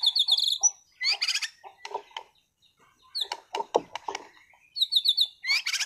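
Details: Caged competition-class white-rumped shama from Sragen singing prolifically: a varied burst of high, rapidly trilled notes, then clipped chattering phrases and sharp notes separated by short pauses, ending in another bright trilled run.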